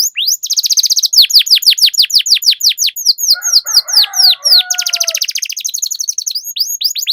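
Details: Canary master song with long rolls to encourage silent birds: fast sweeping whistles and dense rattling trills flowing almost without pause, with a lower warbled phrase briefly beneath the high notes.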